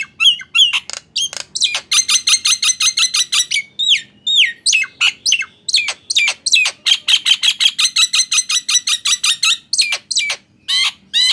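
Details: Nias hill myna singing to coax mute mynas into song: a dense, fast run of sharp, ringing notes repeated almost three times a second, mixed with rising whistles and harsh squawks, with brief pauses between bursts.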